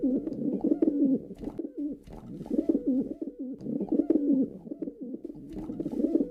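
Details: Male pigeon cooing indoors in a small room: low, throaty, warbling coos around a steady pitch, repeated in phrases roughly every one to two seconds, with faint clicks and rustles between.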